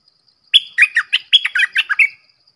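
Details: Red-whiskered bulbul delivering a longer run of about eight liquid, slurred whistled notes in quick succession, each swooping up or down, in a clean, quiet setting.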